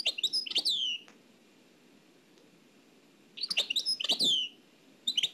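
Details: Nightingale song from Oued El Alleug, from an old cassette: short groups of sharp descending notes separated by pauses of about two seconds, each phrase brief and loud.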